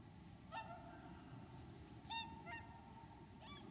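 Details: Wintering whooper swans at Lac du Der, Champagne, France, 30 January 2014: four separate bugling honks, spaced unevenly across a few seconds, each short and nasal with rich overtones, above low constant rumble.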